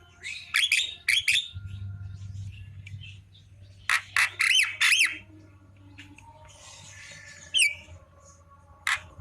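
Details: Javan myna singing in the afternoon with scattered harsh squawks and rasping bursts, a noisy chatter and a single sharp falling note.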